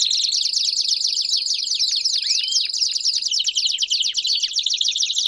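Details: Belgian canaries in a group chorus, pouring out fast buzzy trills and chattering rolls without pause, one clear upswept whistle cutting through midway.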